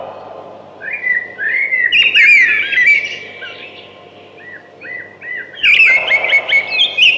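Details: Two thrush phrases of rich whistles and fluttering trills, the first lasting about two seconds and the second arriving after a quiet spell.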